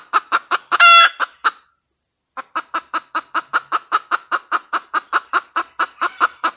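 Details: A female red junglefowl cackles: quick clucks lead into one loud, harsh squawk, a second of quiet, then a long steady train of clipped clucks, roughly four per second.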